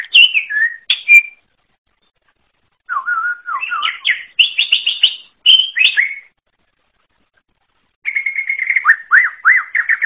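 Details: Wild greater green leafbird singing separate bursts of varied whistles: dropping slurs, a level whistle, quick chip series and finally rapid rolling trills.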